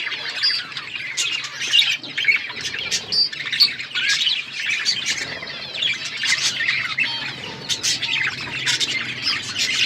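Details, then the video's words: Pet budgerigars chirping over seed feeding, a constant flock chatter of quick high tweets and warbling notes with a faint low hum in the background. "Birds eating seeds budgies chirping sounds"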